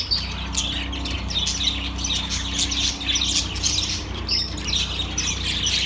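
Budgerigars chatter nonstop with bright, scratchy chirps and warbles that overlap in a busy stream.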